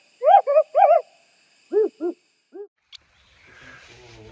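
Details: An African Wood Owl calling on a winter Sunday morning in July 2023 from the property next door near Lindsay Forest, KwaZulu-Natal, gives a quick run of hollow, rising-falling hoots, three close together then three more spaced out, with faint rustling and a click afterwards.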